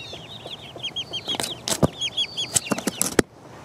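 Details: Four-week-old chicks foraging by pecking. Rapid high peeps arrive in a busy stream, with loud sharp pecks and knocks scattered among them. The sound stops abruptly just after three seconds.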